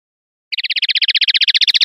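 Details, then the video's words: Clean-style common linnet song (pardillo limpio): a fast, even trill of bright, high notes starting after half a second of silence and continuing steadily to the end. "NUEVO CD PARDILLO LIMPIO 2025/2026"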